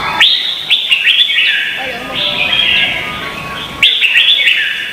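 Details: Vietnamese red-whiskered bulbul in a singing contest, offered as lure song for training birds: sharp upswept notes open two bursts of rich, chattering warbles, separated by a short lull.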